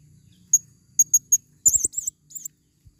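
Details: Female blue-crowned hanging parrot used as a forest lure: a few sharp, very high single chips spaced about a fifth of a second apart, then a quick burst of wavering squeaky notes.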